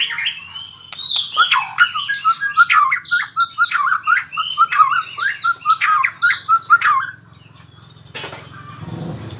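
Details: White-rumped shama learning its rolling trill: rapid repeated chattering notes mixed with harsh squawky accents for about seven seconds, then near silence with a low hum and a brief rustle.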